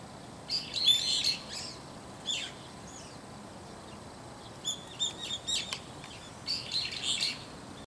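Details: Brown-eared bulbul (Hypsipetes amaurotis) calling loudly early in the morning from inside a hiba tree: shrill, squealing calls in three bursts of several notes each, with quiet gaps and faint hiss.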